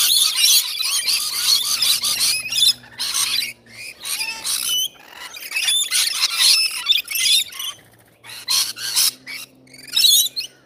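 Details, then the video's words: Rainbow lorikeets at feeding time, a dense chorus of shrill, harsh screeches and chatter from many birds overlapping continuously, with a low hum in the background. "Rainbow Lorikeets Feeding Time"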